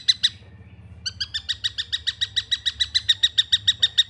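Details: Juvenile long-tailed shrike: two rasping chirps, a brief gap, then a steady rapid sequence of similar harmonic-rich notes at about three or four per second, low hum underneath.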